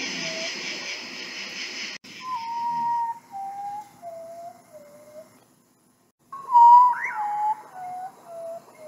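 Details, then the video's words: Common potoo, also called ghost bird, giving its mournful whistled call: a loud first note followed by a descending series of sad, fading notes, heard twice with a break between, over a steady background hiss. "Sonido del guajojo Nictibio urutaú Ave fantasma"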